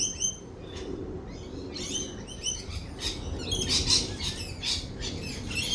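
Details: Lorikeets during rolling thunder give repeated sharp, screechy notes and brief chirping runs, busier toward the end, against a low storm rumble.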